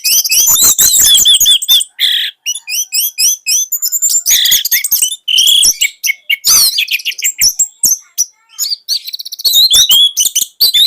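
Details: Orange-headed thrush, caged in Indonesia as a tutor bird for young thrushes, pouring out a long continuous song of fast high whistles, buzzy trills and mimicked-sounding chatter with barely any pauses.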